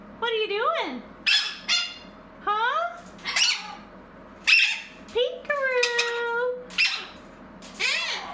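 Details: Pet Blue-crowned conure indoors with a string of rising and falling tonal calls mixed with harsh squawky bursts, roughly a dozen sounds over eight seconds, some speech-like.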